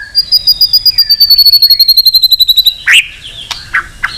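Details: White-rumped shama belting out competition song meant to stir other birds and train their voices: a long, high, rapid trill of evenly repeated pips, then several abrupt, sharp downslurred notes.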